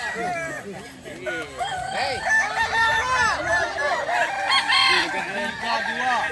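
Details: Kukuak balenggek cocks compete at a crowing contest on a dairy farm in Solok Regency. Dense overlapping crows are interlaced with longer drawn-out stepped notes, and human voices are faintly heard.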